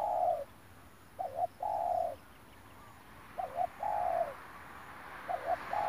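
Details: Spotted dove cooing during a lure-trapping session with a decoy bird, recorded 9 March 2021. A quick doubled note is followed by a longer, steady mid-pitched coo, the phrase repeating about every two seconds over a faint background hiss.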